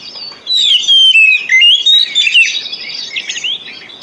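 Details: Short burst of Oriental magpie-robin lure song used to encourage quiet captive birds: bright, sliding whistles and rapid varied notes, starting after half a second and tapering into softer twittering.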